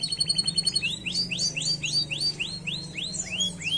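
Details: Canary song of quick repeated arching notes, each rising then dropping, delivered about three per second in a steady rolling series over a low background hum.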